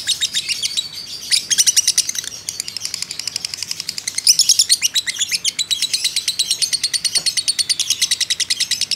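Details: Lovebird of the fighter type used as a training model, chattering in a long ngekek: dense, shrill, fast buzzy pulses that swell in several loud bursts over a steady rapid run.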